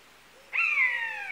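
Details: A buzzard utters a single drawn-out, slightly wavering mew that falls gently in pitch. The call is cut off before it ends.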